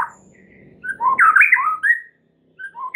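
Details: Short burst of white-rumped shama lure song, full of filler phrases, used to prompt other birds to sing: squeaky, tangled whistles and slurred notes, then silence before a couple of fresh whistles.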